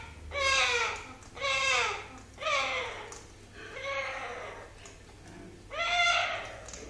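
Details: Pet orange-winged amazon making a strange noise while eating indoors: a harsh, nasal, descending wail repeated about five times, roughly once a second, with a low background hum.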